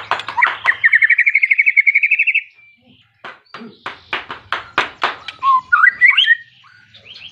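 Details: White-rumped shama singing hard to call a rival and spur other shamas; a fast rising trill of about twenty pulses, a short gap, loud harsh strokes, then a twisting whistled warble.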